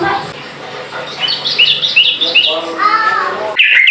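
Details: Sooty-headed bulbul, ropel cucuk song style aimed at provoking rivals: a soft low hum at first, then a few sharp upslurred chirps, a lower descending trill, and a loud bright note burst at the close.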